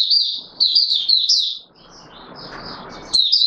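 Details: Oriental white-eye kept in a cage, in courtship mode, delivering quick high twittering phrases at the start, then a softer stretch with broadband hiss before a final bright burst of warbles.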